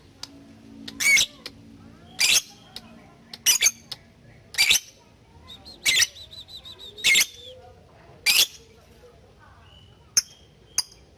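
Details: Lovebird ngetik calling, meant to summon a partner so the bird chatters diligently, in training audio for young lovebirds: sharp rasping shrieks roughly every second or so, irregular, with faint lower squeaks and short high whistles late on.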